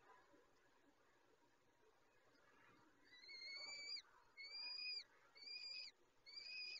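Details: Peregrine falcon feeding chicks at a nest: after a few seconds of hiss and rustling, four clear, high whistled notes follow in quick succession, each slightly arched and under a second long.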